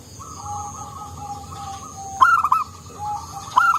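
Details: Local zebra dove singing steadily with a soft voice, used to provoke other doves: two loud stuttering, bubbling coo bursts about 1.3 seconds apart over softer continuous cooing from other doves, with a faint high steady whine.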